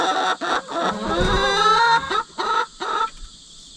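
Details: Hens raised from chicks, two sisters born two years apart, just put together and fighting over rank, the older sister winning; loud, harsh, harmonic screeching calls in bursts with short gaps, over a steady high insect chorus.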